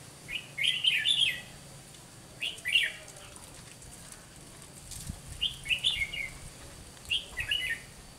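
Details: Red-whiskered bulbul used as a decoy bird to trap wild bulbuls, singing a fighting song: short bright warbled phrases, four bursts spaced one to two seconds apart, with a faint low rural background hum.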